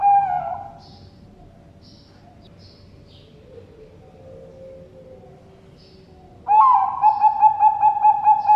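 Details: Bangkok zebra dove in captivity at a bird farm in Sidoarjo, East Java, Indonesia. A trill tail fades out, then a quiet gap with faint background sounds, then a fresh rolling, pulsed coo begins loudly.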